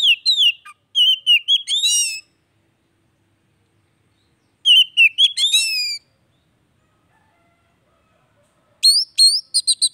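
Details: An Oriental magpie-robin, kacer, sings bright fluty phrases to stimulate a silent bird: sliding whistles ending in a buzzy flourish, repeated after long silent gaps, closing with quick upswept notes.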